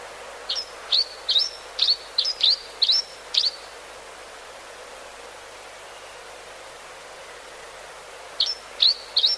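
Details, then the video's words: Series of brisk, high chirps from a grey-hooded sierra finch, about eight notes in three seconds, then a long quiet pause before three more similar notes resume, with soft ambient hiss throughout. "COMETOCINO DE GAY (Phrygilus gayi)"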